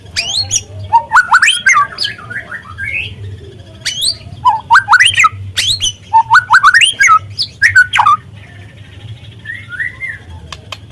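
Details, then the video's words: White-rumped shama, a speckled young 'trotol' bird, used as a lure recording to stir other shamas into singing: rich, varied phrases of rapid rising whistles and sharp sweeping notes in bursts, with a steady low hum underneath. "pancingan murai trotol agar terangsang untuk bunyi"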